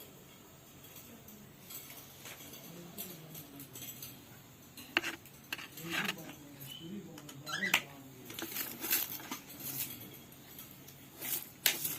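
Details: Dishes and cutlery clatter with sharp clicks and taps, while soft voices murmur in the background. No animal call stands out clearly.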